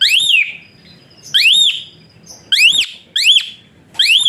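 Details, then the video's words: Whistling Asian pied starling, kept as a tutor bird for training others, delivering strong upslurred whistles that rise and bend over, given singly or in quick pairs with gaps of about a second. "Burung Bersuara PELUIT Jalak Suren"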